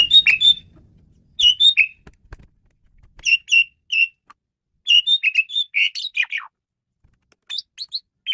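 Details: Male Asian pied starling singing a varied song used as a lure: groups of two or three clear whistled notes repeated between pauses, building into a run of descending buzzy notes, on a quiet background.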